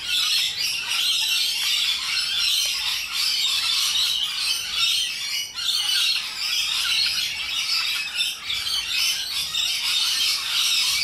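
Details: Rainbow lorikeets, wild parrots in Australia, raising a loud, obnoxious din: dense overlapping shrill screeches and raspy chatter run unbroken for the whole stretch, with brief dips in volume.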